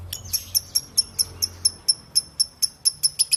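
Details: Lovebird ngekek chatter at a slower pace, sharp, high, clicking notes spaced about four a second, some doubled, over a quiet background.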